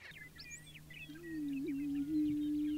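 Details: Prairie chickens at a lek on the Fort Pierre National Grasslands, central South Dakota, during their annual spring ritual in the early morning. A low, hollow, wavering moan begins after a second and holds to the end, with scattered high chirps from other birds and a steady low hum.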